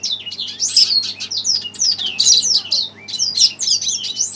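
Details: Worked up by a played recording, a red siskin sings dense, high twittering phrases of sweeping and buzzy notes almost without pause.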